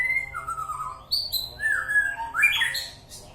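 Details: White-rumped shama (murai batu) from East Aceh giving loud, rich slurred whistles that glide down and then up, broken by sharp high squeaky notes, heard close and clear.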